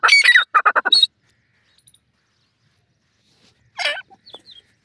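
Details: Black francolin kept at home, giving harsh, buzzy notes in a quick burst of about five, then a pause and a softer rasping phrase with a few thin squeaks.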